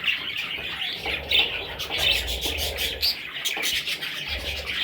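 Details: Several high, squeaky chirps from parrot chicks, irregularly spaced, with low rustling and handling noise underneath.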